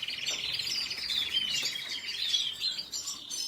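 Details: Red siskin singing a fast, high twittering song with a buzzy, rapidly pulsed trill running underneath, notes sweeping up and down without pause.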